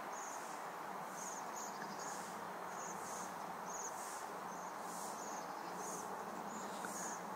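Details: In winter, during December 2023, waxwings eat berries from a tree while calling in brief, high, sibilant trills repeated at a fairly even pace throughout, with a continuous hiss underneath.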